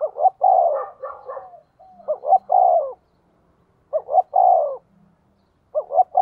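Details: Caged decoy spotted dove cooing rapidly to lure wild doves: short two-note introductions followed by a longer hoarse, descending coo, phrases repeated about every two seconds; quiet background.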